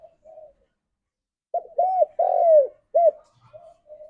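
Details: Spotted dove lure call meant for calling its companions: faint, low muffled coos open and close the clip, around one loud phrase of clipped note, arched coo, long sliding descending coo and a brief final coo.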